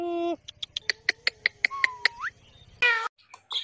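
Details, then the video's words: Talking parrot kept as a pet, a brief flat tone followed by a rapid series of regular clicking pulses, a smooth rising whistle, then a harsh burst near the end. "The Best Talking Parrot"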